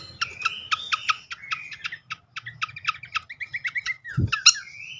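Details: Srikatan flycatcher lure call to set birds singing: a series of quick repeated chirps in short bursts, a rapid trill of descending notes, a low knock, then a rising whistle.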